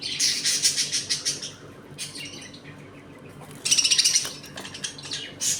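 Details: Budgies in a home colony during play and feeding: fast, pulsed, buzzy chatter in rapid runs at the start, a quieter stretch, then another burst of quick repeated notes.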